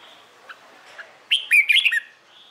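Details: Morning contest song of a red-whiskered bulbul, used to coax new birds into singing: two soft notes, then a loud rapid burst of warbled, slurred whistles lasting under a second.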